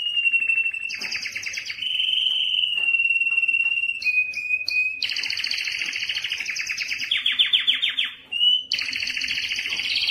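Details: Singing male Belgian canary, song used to stimulate hens for mating: continuous varied tours of steady whistled rolls, clipped chips, and a loud rapid rattle, with hardly a pause throughout.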